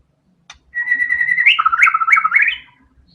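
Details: Murai batu, the white-rumped shama, singing 'tembakan' style with varied fillers: a steady whistled note runs into a quick, tumbling series of warbled, up-and-down phrases lasting about two seconds, with soft low thumps in the background.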